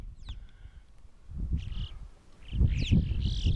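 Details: Alpine chough in the French Alps mountains gives a few high, thin, sweeping whistles, short rising and falling chirps in loose bursts, over a steady low rumble of wind.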